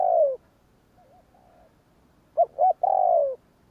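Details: Spotted dove performing 'gù kích' luring coos: a long downslurred coo trails off, soft wavering murmurs follow, then two short punchy notes and a long, mellow, falling coo.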